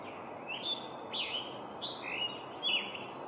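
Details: Scarlet tanager, an American songbird, delivering a series of five raspy, burred notes at a steady pace, each slurred and slightly rising or falling, against constant low background noise.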